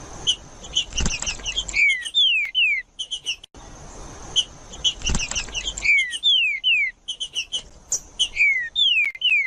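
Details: Singing green-winged saltator, used to warm up other saltators and train young birds: repeated phrases of quick chirps ending in two or three loud whistles sliding downward, separated by noisy rustling gaps.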